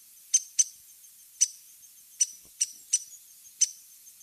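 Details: Resident Downy Woodpecker giving sharp, high, clipped pik notes, seven in four seconds at an uneven pace, with nothing else heard.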